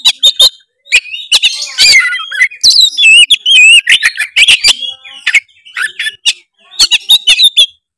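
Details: Loud, continuous song of an Oriental magpie-robin, used to rouse a reluctant bird to sing: rich, rapidly changing whistles, rising and falling warbles and sharp ticking notes crowded together, with brief pauses between bursts.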